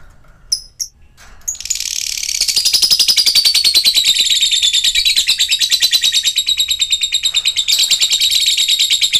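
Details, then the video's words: A few sharp squeaks open this, then a lovebird launches into a long ngekek: a loud, rapid, buzzy chatter of even pulses, sliding slightly lower in pitch as it continues. It is meant to coax silent lovebirds back into song. "ngetik ngekek panjang jadikan Lovebird macet aktif ngekek lagi"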